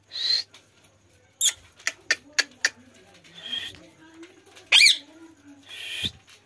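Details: Parrot on a swing in an Indian village, starting with a harsh screech, then five quick sharp chips, a softer murmur, a loud grating squawk and a final rasp.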